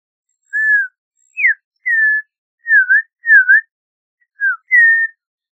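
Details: An Audubon's oriole sings eight sweet, separated whistles in a relaxed phrase: falling and level slurs, a quick downward note, paired dipping V-shaped whistles, then a short drop and a longer level note. No other sounds.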